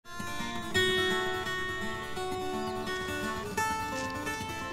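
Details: Strummed and plucked acoustic guitar music fills the whole stretch, without any animal sound.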